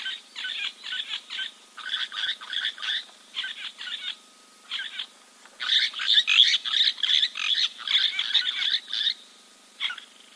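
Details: Giant kingfisher preening at Kings Camp waterhole, Timbavati Game Reserve, Kruger National Park, South Africa, 4 February 2024, giving harsh, rattling kek-kek notes in rapid bursts, several per second, in bouts separated by short pauses; a faint steady hum underneath.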